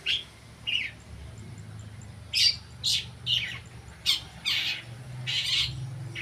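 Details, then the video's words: Long-tailed shrike practising sounds, short grating squawks and scratchy bursts spaced irregularly, roughly one every half second to second, over a quiet low background hum. "cendet belajar bunyi"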